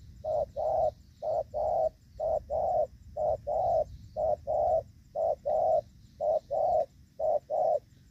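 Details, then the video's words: Decoy-trapping session for spotted doves in the rainy season, 23 July 2024, 'gù vấp' cooing style: steady paired hoots, a brief note followed by a longer, fuller coo, repeated rhythmically. A faint low hum lies underneath. "Gù vấp l clip 839 | Viện kt 0905459290 l Bẩy cu gáy ngày 23/7/2024"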